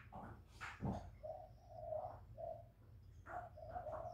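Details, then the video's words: Low, mellow hooting coos from a spotted dove kept as a cage bird, given in two short phrases, the second note drawn out, broken by a loud sharp knock and some rustling. "Tiếng chim cu gáy lớn giọng"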